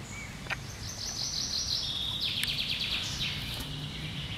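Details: Common chaffinch singing in the treetops, 1 July 2020: a bright rattling trill of rapid high notes running about two seconds, falling slightly and ending in a brief flourish, over low background rumble.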